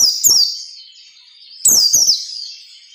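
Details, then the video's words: Ngalas nembak song of a white-eye as training material for captive birds: a high falling whistled phrase, a silence of over a second, then a brighter, longer slurred phrase. "SUARA PELECI NGALAS NEMBAK SERTANDAR"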